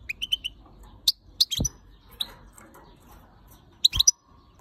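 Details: ['Female European goldfinch calling angrily at the camera: a fast run of thin high chirps, then scattered sharp notes, with a dull thump and a faint short whistle near the end.']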